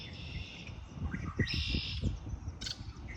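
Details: Spring birds give high buzzy trills and a few thin chirps, partly masked by louder low-pitched rumbling and knocking sounds.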